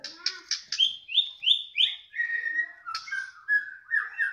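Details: Caged White-rumped shama singing as its cage cover is opened: a quick series of clear whistled notes stepping downward, then lower sustained whistles repeated about three times per second.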